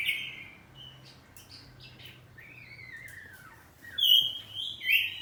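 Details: Oriental magpie-robin, a home-kept kacer poci, in ngeplong saut-sautan song: a clear whistled note, scattered short chirps, a long wavering descending whistle, then loud sweet whistled phrases near the close over a soft background hum.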